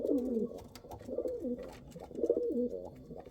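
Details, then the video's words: Low, wavering pigeon coos, Kal Cheeni and Rampuri breeds, in three throaty phrases roughly a second apart, each rising and then dipping, with faint background clicks. "Pigeon sound | kal cheeni kabutar sound | Rampuri kabutar sound"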